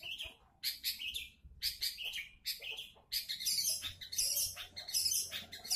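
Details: Long-tailed shrike singing as a lure to prompt other shrikes to sing. Rough, grating phrases come in quick bursts about a second apart, growing louder and harsher toward the end, with faint low hum underneath.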